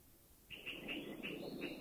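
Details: A Puff-throated Bulbul in a Thai national park, a forest sentinel warning of intruders or danger, gives harsh, nasal, fairly high notes in a quick chattering run, about three a second, against a quiet forest.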